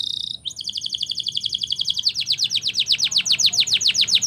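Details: Canary singing Spanish Timbrado training song: a short high buzz, then a steady rapid trill of evenly spaced pulses that gradually slows into separate descending notes, with faint low background hum.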